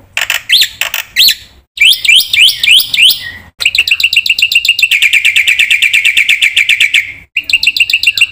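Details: Full-fill song of the Black-winged myna, played to coax silent birds into singing: loud harsh notes, a run of looping rising whistles, then a long rapid chatter of repeated notes ending in short chirps.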